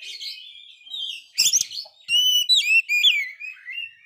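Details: Oriental magpie-robin, moult failed but in full song, used to provoke and rouse other magpie-robins; soft warbling, then a rasp and a series of loud, clear downslurred whistles.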